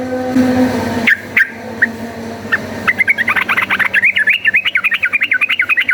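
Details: Yellow-vented bulbul in rapid fighting-style song, used as a lure to make bulbuls fight: after scattered notes over a low drone, a fast run of bubbly, warbling chattered notes streams continuously for the final three seconds.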